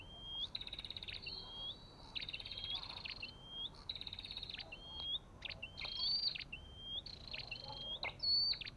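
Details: Olive-backed tailorbird: high whistled notes that slide upward, alternating with dense buzzy trills and sharp clicks, repeated in runs about every second over faint background hiss.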